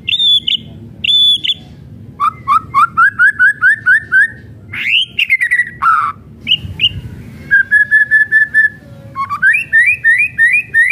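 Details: White-rumped shama, or murai batu, in varied kretekan song: paired high whistles, a steady run of rising chip notes, a swooping phrase, then further fast series of clipped repeated notes.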